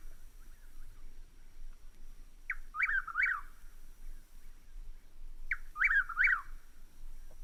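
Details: A Chuck-will's-widow from a vintage LP recording gives two phrases about three seconds apart, each a soft clipped note and then three quick, rolling whistled swoops, over faint low rumble and hiss.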